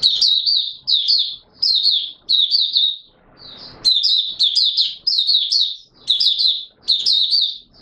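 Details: Opening song of an Oriental white-eye, 24 March 2022: bright, rapid high warbles in repeated short bursts, with a soft scratchy pause partway through.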